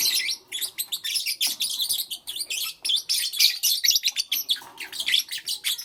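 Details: Morning chorus of pet lovebirds: continuous shrill, rasping chatter of fast squeaky chirps, several birds overlapping in a busy, unbroken stream of high notes.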